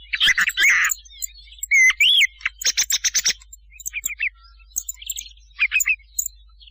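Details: Thrush lure call for night hunting: strident chirps, a rising whistled slur, a rapid run of clicking notes, then spaced short twitters and a buzzy trill.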